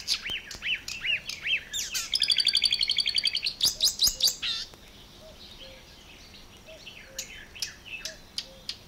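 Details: Marsh warbler recorded in water-meadows and coastal pastures at Matsalu, issued 1979: looping slurred whistles, then a rapid high rattling trill and scratchy phrases, ending in scattered sharp clicks over soft low whistles.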